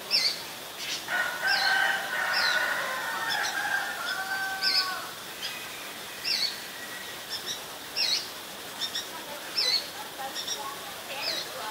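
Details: Ashy drongo in Ubon Ratchathani, Thailand, 11 April 2022: a burst of overlapping mid-pitched whistles and chattering notes, followed by a series of short, sharp high chips repeated irregularly against a faint hiss.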